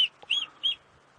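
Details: Shikra call, two sharp, high, slightly arched notes about a third of a second apart with a faint click between, a recording played back at dawn near a former nest in Djuma Game Reserve on 17 October 2016, windy.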